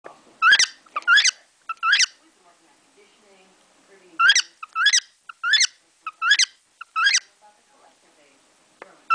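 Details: Pet cockatiel at home performing new songs learned from sparrows outside the window: loud harmonic chirps, sharply rising then falling, in pairs and short runs of about nine notes, with quiet gaps and faint room noise between.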